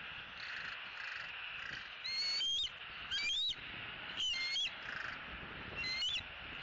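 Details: Bald eagle at its nest in Southwest Florida, on the last evening at home before departure, 2018: four short bursts of thin, high squealing whistles with wavering, chittering notes, over a steady hiss.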